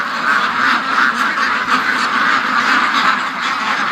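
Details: Flock of domestic ducks in a pen, quacking non-stop for over an hour while waiting to be let out late in the morning; dense, overlapping nasal quacks form a continuous loud chorus throughout.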